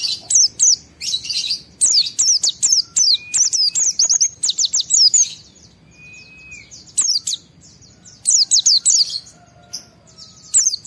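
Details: White-eye in high-emotion, excited song with a wild-style fill, meant to provoke other white-eyes into singing: rapid bursts of high, sharp downslurred chirps, with short pauses and a brief steady whistle near the middle.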